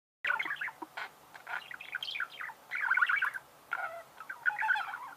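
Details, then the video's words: Budgerigars singing: a busy chatter of rapid warbled notes, short chirps and scratchy, creaking phrases in bursts separated by brief pauses. "пение волнистых попугаев,скрип"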